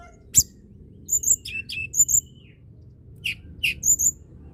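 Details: Lively tledekan gunung song to encourage lazy birds to sing: a sharp click followed by paired very high whistled notes and short slurs repeated in small groups, over a steady low background hiss.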